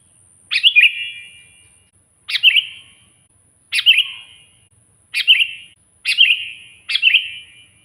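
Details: Sooty-headed bulbul (kutilang) in loud, energetic song meant to call a rival: six brief fluty, gurgling phrases, coming faster toward the end, each a bright rising-then-falling burst with reverberant trail, over a faint steady high-pitched tone.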